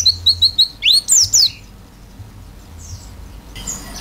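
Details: Pleci, the oriental white-eye, singing 'isian' with an open beak. Four quick, even, high whistled notes lead into three louder, sweeping slurred whistles, then quiet.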